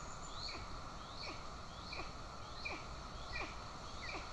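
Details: Golden eagles in Estonia on 20 June 2024, the mother feeding an aggressive chick while the father arrives with a bird; short, downslurred chirps repeat about once every 0.75 seconds over a steady background hum.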